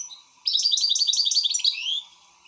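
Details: European goldfinch in an excited state delivering one rapid burst of bright, liquid twitters and chirps lasting about a second and a half, ending in a descending slur, with a faint background hum.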